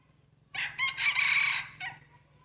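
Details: A rooster kept for breeding crows in a showing-off contest: one strong, rasping cock-a-doodle-doo that starts abruptly, holds a long, loud, grating middle, then ends on a softer falling note. A constant low drone runs beneath.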